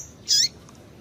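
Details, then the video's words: Single brief, buzzy high call from a female double-collared seedeater, used to excite a male into singing. A faint lower trailing band and a couple of soft distant ticks follow. Quiet background. "Piado de Fêmea de Papa capim é Fêmea de Papa capim Chamando Para Esquentar Papacapim"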